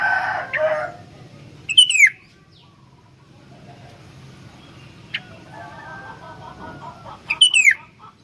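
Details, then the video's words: Sooty-headed bulbul kept to tutor other bulbuls, giving two rich descending whistled phrases several seconds apart with a single sharp note between, amid some background noise at the start. "BURUNG KUTILANG SUPER GACOR ISIAN, COCOK BUAT PANCINGAN/MASTERAN KUTILANG LAIN"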